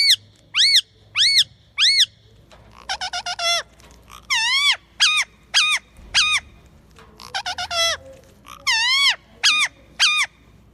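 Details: Baby parrot calling: loud, harsh, rising-and-falling squawks in groups of three, alternating with rapid bursts of short buzzy notes, then longer arched screeches in twos and threes.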